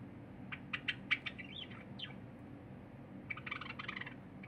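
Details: Cinnamon Java sparrow song, a pet bird recorded 23 January 2021 beside a feeding silver Java sparrow: a few sharp clicks, a gliding whistled slur, a pause, then a quick chattering burst.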